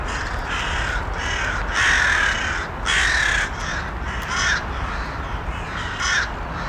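Harsh, raspy crow caws repeat roughly once a second, with several birds overlapping over a steady low rumble of background noise.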